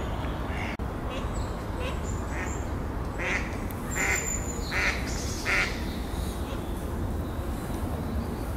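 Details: Mallard pair calling: a run of three or four nasal quacks in the middle, fading off, with constant low background hum.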